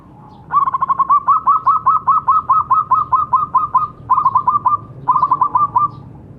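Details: Local zebra dove in full voice, played to stimulate silent doves to sing: a long, fast run of about twenty short, mellow coos, then two shorter stuttering bursts, over a quiet background.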